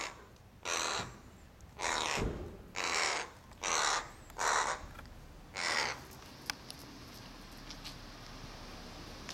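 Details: Crow calling while one bird steals all the snacks given to another and the second stalks it for dropped bits; six hoarse, drawn-out caws about one per second over steady background hiss.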